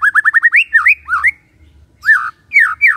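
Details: Morning song of a white-rumped shama, used to rouse a silent shama into singing: a quick run of six hooked whistles, then looping slurred notes with short gaps.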